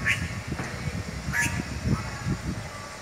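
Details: Red-rumped cacique in a town square where its nests hang from the trees; two loud, ringing notes with harmonics come about a second apart, set against low murmuring voices and street noise.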